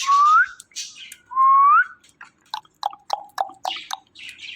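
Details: Pet male Indian ringneck parakeet giving two clear rising whistles, each sliding upward and about half a second long, followed by a string of short sharp chirps and clicks.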